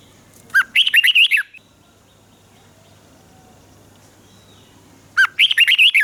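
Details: Southern master-pattern style song of a caged Red-whiskered bulbul in Thailand, played to excite birds and train chicks: two lively warbled phrases of rapid whistled notes separated by roughly four seconds of low hum.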